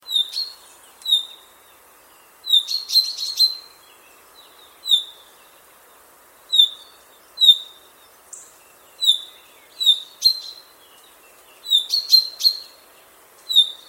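Common chaffinch giving bright, high chirps, singly or in quick clusters, with short pauses between.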